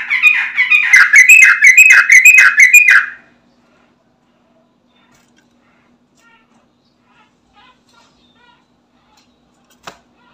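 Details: Lively yellow-vented bulbul song played to coax other bulbuls into singing; three seconds of quick, rolling, bubbly chatter, then near silence with faint distant chirps and a click.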